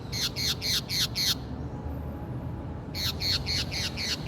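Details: Brazilian green parakeet calling loudly and close: five rapid screeching notes, a pause of about one and a half seconds, then six more harsh, downward-sliding squawks.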